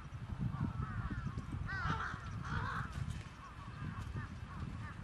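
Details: A flock of trapped crows cawing, with a louder harsh burst of calls midway, scattered softer arched caws around it and constant deep background rumble.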